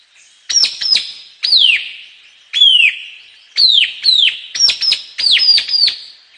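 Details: White-capped tanager giving loud, piercing, downward-sliding whistled notes, singly or in quick pairs and triplets, separated by short pauses, in a clean recording with no other sounds.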